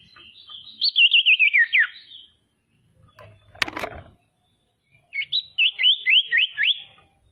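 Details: Female common iora singing to provoke other ioras into calling: a fast trill of whistled pulses slipping downward, a sharp clack in the pause, then a second phrase of rising, repeated whistled pulses.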